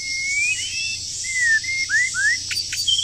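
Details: Wild bird in moult during the breeding season, singing a series of clear whistled notes. Some are long and level, others short, rising or falling slurs, ending with a couple of sharp clicks. A loud, steady high hiss of insects fills the background.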